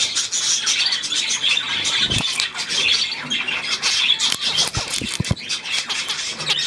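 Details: Budgerigar flock sound dated 9 February 2024: constant high chirping and squawking chatter, overlapping voices, punctuated by several short low thuds and clicks.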